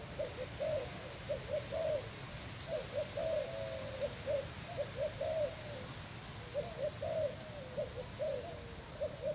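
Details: Thai-type spotted dove used as a decoy, recorded 18 June 2018: phrases of several gentle coos repeated every few seconds, under a constant hiss.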